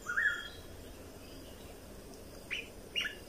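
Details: Red-whiskered bulbul phrase played to teach young birds and stir up birds: a quick warbled whistle at the start, a long pause, then two sharp rising-falling whistled notes near the end, with steady faint hiss.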